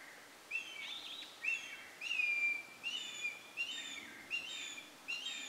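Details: Changeable (crested) hawk-eagle at Ghotpadi, Bhamragad, 19 October 2018, giving about eight shrill, high, slightly rising ki-ki-kee whistles, roughly one every two-thirds of a second, building in crescendo, over a faint steady hiss.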